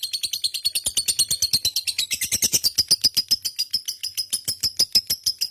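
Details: A lovebird keeps up a long ngekek, with quick high chirps repeated in an even rhythm. A thin, sharper whistle-like tone runs through the second half.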